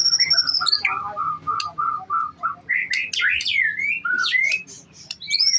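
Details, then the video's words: Champion young white-rumped shama singing: a string of clear mid-pitched whistles repeated about twice a second, then rapid rising and falling slurs and sharp high notes, over steady high-pitched tones and a faint low hum. "MB MUDA GLADIATOR"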